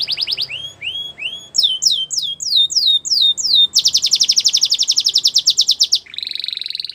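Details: Belgian canary singing a varied song: rapid pulsed trills, rising whistled notes, downward-sweeping syllables repeated in quick series, then a fast dense buzzy trill and a lower rattling phrase; faint low hum underneath.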